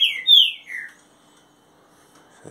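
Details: Green-winged saltator in captivity, 30 days after arrival, delivering a mansarrão-style phrase: three clear whistled slurs that fall in pitch within the first second, then near silence and a faint knock at the end.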